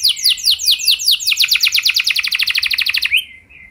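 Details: Canary song for prompting other canaries to sing: rolling repeated downslurred notes accelerate into a rapid steady trill that stops after three seconds, with a brief soft whistle after.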